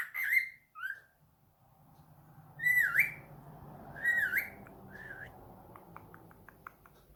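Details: A pet cockatiel answering a phone call produces swooping whistled notes that dip and rise, spaced a second or more apart, over steady background room noise, ending with a few soft clicks.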